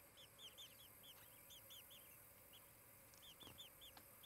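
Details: Osprey at its nest near Charlo, Montana, on a July 2018 morning, giving bursts of arched, whistled chirps with brief pauses between runs, plus a few sharp knocks.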